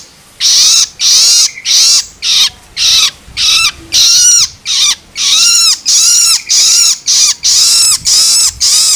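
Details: Long-tailed shrike chick's loloan begging, used to stimulate adults: repeated scratchy screams, some with clear arched downward tones, delivered at a brisk, slightly uneven pace of under two per second.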